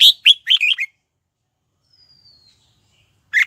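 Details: Red-whiskered bulbul used as a lure bird, singing to call wild birds in to fight: a burst of rapid bright chirping notes at the start, then a faint thin whistle and one more short chirp after a pause.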